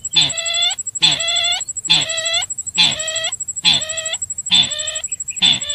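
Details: A sintar call played to lure the birds in: loud, harsh, nasal notes repeated about once a second, each a short hoarse burst. A steady high electronic whine runs throughout.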